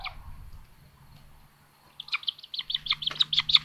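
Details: Common buzzard nestlings at a solar-powered live nest cam in Tiszalök, Hungary, in May 2022, during a sibling attack: near-silence at first, then a fast burst of sharp, high chipping squeals.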